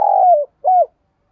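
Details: Spotted dove decoy bird, "giọng thổ" voice style, in its "gù" coo used to rile wild doves. A long mellow coo falling at its tail, then one shorter arched note, with nothing else audible.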